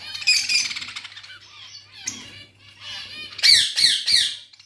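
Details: Budgerigars kept with ringneck chicks give harsh, grating squawks and chatter, ending in three loud rasping calls in quick succession over a faint hum.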